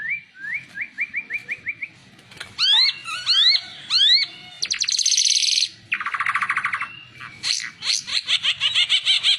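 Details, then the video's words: Oriental white-eye song used as a tutor recording for training other songbirds: rising whistled slurs repeated rapidly, then a varied run of sharp swept notes, buzzy chatter and dense trills, all high-pitched, with faint low rumble behind. "Burung ara mata merah cocok buat masteran"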